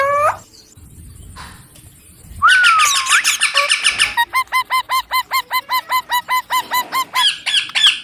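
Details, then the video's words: Baby Indian ringneck parakeet, a pet, giving loud harsh squawks, then a rapid run of evenly repeated hoarse notes, about three per second, each sweeping up and down; no clear words. "Talking parrot video"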